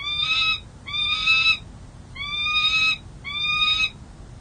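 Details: Peregrine falcon defending its nest at San Jose City Hall, where a second-year male tends three eggs, April 13, 2023, nest camera. Four grating, harmonic-rich wailing calls are repeated about once a second, each slightly rising, over a faint low hum.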